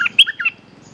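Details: Brief snatch of a resident bulbul's reply to a caged lure: four fast, liquid chirps dipping and rising, then quiet.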